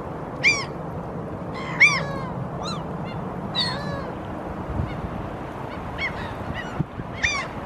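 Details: Pair of Canada geese on exposed seabed at Helsinki, Finland, April 2023, walking and watching the environment; frequent honking, some loud and near, others softer and shorter, roughly ten calls in irregular sequence against low ambient rumble.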